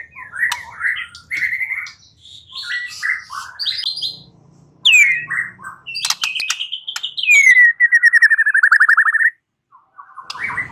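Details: White-rumped shama lure song to set a bird singing: long varied medley of warbles, sharp whistles and harsh notes, including a rapid rattling trill lasting over a second.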